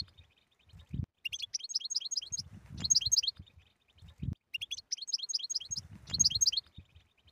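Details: Batbata-type European goldfinch song for treating goldfinch silence. Thin pips give way to rapid, sparkling twitter runs that repeat twice, with low thumps and rumbling noise in the background.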